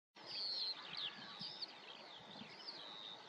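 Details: Male corn bunting singing on its territory: a dry, jangling, high-pitched song of wavering notes running together for about three seconds, with faint outdoor background noise.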